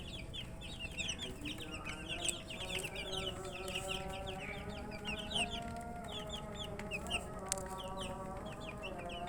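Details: Thirsty chicks crowd together in a continuous chirping chorus of high, falling peeps, dense at first and thinning slightly later, with a low mechanical hum throughout.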